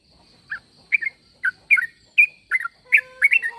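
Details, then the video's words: Sooty-headed bulbul call for luring replies from other bulbuls: a handful of sharp chirped notes, some doubled, spaced under half a second apart, with a faint steady hum behind. "Suara pangilan burung trucuk.semua trucuk pasti nyaut dengar suara trucuk ini"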